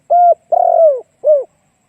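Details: Spotted dove used as a lure for other doves, three cooing notes: a steady low coo, a long coo with a rattling start that slides down, and a brief falling final coo, with a clean, quiet background.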